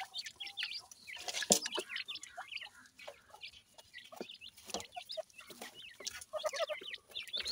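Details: Grey francolin (dakhni teetar) chicks while feeding: many high, thin, rapid chirps and peeps, overlapping and jumbled, with soft clucking and occasional louder taps.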